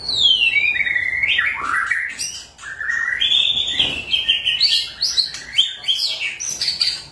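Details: White-rumped shama song used to get stalled shamas singing loudly: a continuous flow of varied whistled phrases, sweeping down, then rising in stepped, warbling runs with sharp high notes.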